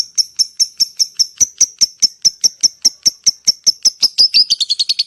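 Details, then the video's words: Lovebird ngetik call used to draw in other lovebirds: steady high ticks about five per second, ending in a quicker, denser burst of shrill notes. "SUARA LOVE BIRD ( LABET ) NGETIK, NGEKEK PANJANG AMPUH UNTUK MEMANCING LABET YANG LAIN"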